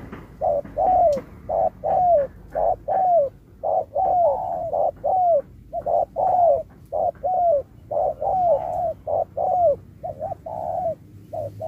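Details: Spotted dove competing in a 2024 contest with 'Thúc kèm Bo' style singing: a long unbroken run of rhythmic coos, short notes alternating with longer falling coos, nearly one phrase per second.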